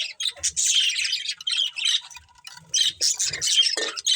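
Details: Several budgies kept together as a family chatter almost continuously, with buzzy, warbling high chirps and a few squawky notes dipping lower near the end.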